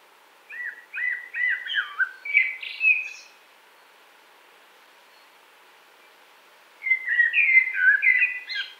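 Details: Common blackbird in spring woodland, 2017: two phrases of warbled song, each a quick string of mellow, slurred whistles rising into squeaky twittering, separated by about four seconds of quiet.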